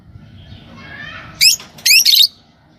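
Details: Kept green Fischer's lovebirds, a pair, giving two short, shrill, squeaky chirps after a soft faint twitter.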